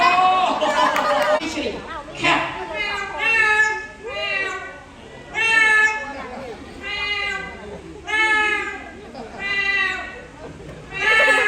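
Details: Parrot at Safari World Bangkok talking: a string of speech-like phrases, each a short burst of stacked, bending harmonic tones. The phrases come about every one and a half seconds, with a louder, noisier burst at the start.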